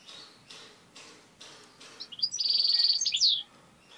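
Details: Tame European goldfinch singing strongly: soft tapping sounds, then a loud rush of rapid, liquid twittering notes ending abruptly after about a second and a half.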